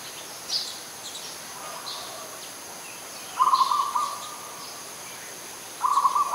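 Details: In Ubon Ratchathani, Thailand, on 21 September 2022, an adult zebra dove gives a quiet trilled coo, then two louder rippling coos about two and a half seconds apart, with occasional high chirps from other birds.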